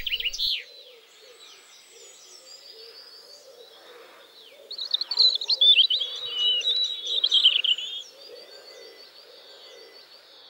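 A European Robin sings a varied, high, liquid warble of thin whistles and rapid trills, with a brighter burst midway; other faint bird calls in the background.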